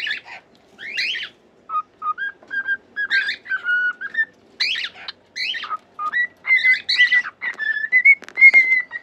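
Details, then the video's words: Whistling cockatiel song meant to teach pet cockatiels. Scratchy chattering notes alternate with level, pure whistles. The clip ends with a string of steady, clear whistled tones. "COCKATIEL SINGING!"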